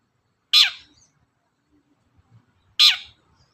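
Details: Long-tailed shrike (cendet) used to provoke other birds to sing: two loud harsh downward-sweeping notes about two seconds apart, broad and scratchy, with faint low murmurs between.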